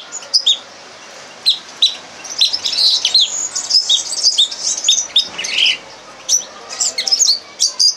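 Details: Red crossbill tutor song, used as a lesson for training captive birds: varied high chirps, sharp clicks and short whistled notes in uneven bursts, with a brief pause near the start.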